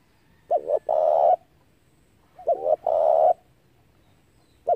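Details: Decoy spotted dove giving its calls for luring wild doves into traps: two full phrases, each two quick short coos followed by a sustained, slightly wavering longer coo, with a third phrase starting at the end; quiet background.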